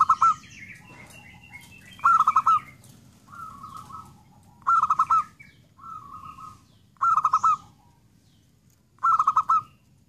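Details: Zebra dove song: five loud, rhythmic stuttering coos about two seconds apart, with softer lower phrases between them and faint high chirps from other birds.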